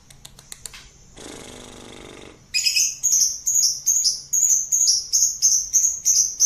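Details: Lovebird delivering ngekek song. A few faint ticks and a brief hiss of noise come first, then a fast run of rasping high chirps, roughly three per second, continuing to the end.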